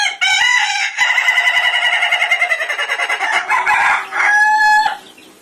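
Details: Ayam Ketawa rooster crowing in the Indonesian laughing style: a loud harmonic call that breaks into rapid pulsed, chuckling syllables for several seconds, then ends in a held, steady tone.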